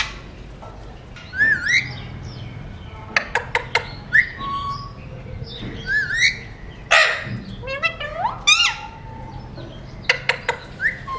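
An Alexandrine parakeet talks in short, speech-like phrases of rising and falling nasal syllables, mixed with sharp clicks and brief whistles, every second or two.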